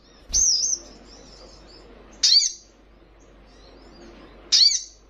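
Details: Young Little Spiderhunter calling with sharp, high, clipped chips, three of them spaced about two seconds apart, each falling slightly, with faint softer notes between.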